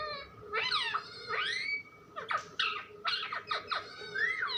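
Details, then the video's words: Indoor pet parrot chatters nonstop in a run of rich, harmonic, swooping syllables, some rising and some falling, with short pauses between bursts and a low hum underneath. "Funny parrot talking video"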